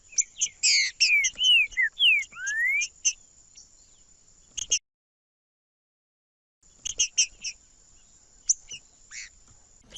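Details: Green-winged saltator singing to excite males: rapid slurred whistles and sharp clipped notes, then a silent gap of about two seconds and further scattered short notes, with a constant high-pitched tone behind.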